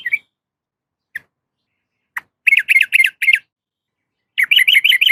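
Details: Female yellow-vented bulbul calling to a male: a few isolated sharp chirps, then two quick runs of four or five bright, bouncing notes.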